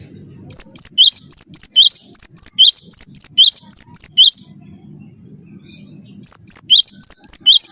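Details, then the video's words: Cinereous tit master song for coaching birds to sing: a long run of rapid, sharp high chirps in alternating pitches, a gap of low background rumble, then another chirping run. "master suara burung gelatik batu gacor"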